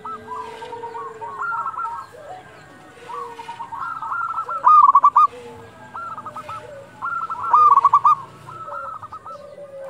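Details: Local zebra doves giving their dusk call, used to provoke and stimulate quiet doves: repeated stuttering coo phrases, two loud rattling bursts, other birds overlapping softly with lower sliding notes.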